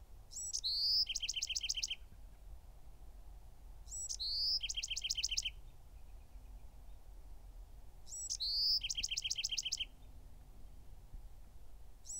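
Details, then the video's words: A Bewick's wren repeats its song three times at about four-second intervals, each phrase opening with short high chips and a sustained whistle before a quick, regular trill of buzzy paired notes; little else audible. "The song of the Bewick's Wren (Thryomanes bewickii)"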